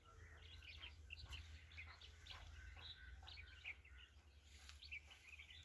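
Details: Sparrows chirping: a quiet, steady scatter of short, high chirps runs through the whole stretch, with a low, constant hum underneath.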